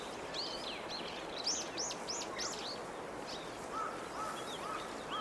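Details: Chinese grosbeak preening in a Chinese toon tree after rain, seen from a window before the tree's new leaves open. Quick series of rising and falling whistled notes, then softer, lower repeated whistles, over steady background noise.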